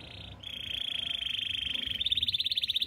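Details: Belgian canary singing in the morning: a bright, high, rolling trill that runs steadily, then breaks into slightly higher, louder, distinctly pulsed notes near the end.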